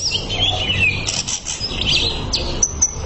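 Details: Greater green leafbird song for training, with warbling whistled phrases, a wavering high line and two sharp high chips near the end, over low hum.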